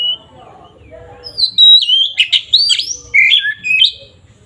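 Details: Oriental magpie-robin in loud, open ngeplong fighting song, used as a lure to stir up rival magpie-robins. A long clear rising whistle leads into rapid, varied phrases: sharp swooping whistles, harsh chattering notes, and quick trills. Softer warbling is heard at the start.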